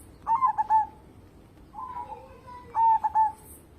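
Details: Zebra dove song used to coax other birds into singing: a crisp stuttered coo phrase ending in a trill, a fainter drawn-out coo, then another crisp phrase, low and gentle.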